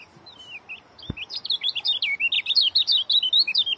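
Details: Oriental white-eye, a yellow kecial, singing a fast, dense run of high twittering notes that starts sparse and quickens into rapid chirps about two to three per second, with a single sharp click near the start.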